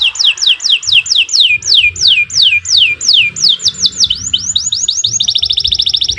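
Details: Canary (kenari) song for training birds: a long string of clear downward-slurred whistles repeated evenly, speeding up and ending in a rapid high trill.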